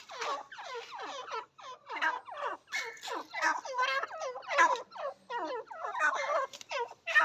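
Partridge calling in a fast, unbroken run of harsh, ringing notes that slide downward, roughly two or three each second. Nothing else stands out.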